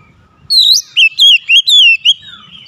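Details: Oriental magpie-robin challenging a rival: a short, loud phrase of five or six clear, sweeping whistles, some rising and some falling, delivered in quick succession.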